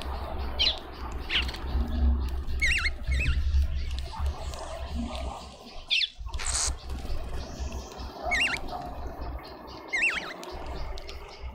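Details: Cape white-eye returning again and again to a garden feeder in suburban Pretoria, South Africa: brief high chirps and wavy whistled notes scattered irregularly, roughly every second or two, with clicks, a flutter and constant low hum.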